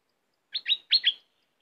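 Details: A cream-vented bulbul gives a short phrase of two quick double notes, each a bright chuckling slur that sweeps up and down, in an otherwise quiet recording.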